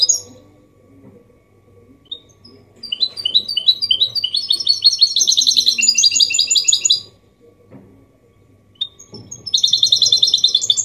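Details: Clean 'copia malaga' song of a goldfinch hybrid, used to get males singing and teach young birds; sparse chips build into a dense ringing trilled passage, silence, then more high chattering.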